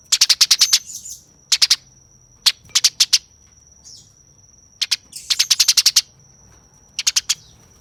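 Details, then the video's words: Eurasian tree sparrow in a fighting mood, giving harsh, fast chattering: tight bursts of rapid buzzy chirps in several volleys separated by pauses, over a faint steady high whine. "Masteran Tembakan Gereja Tarung Gacor Nyerecet Kasar Speed Rapat"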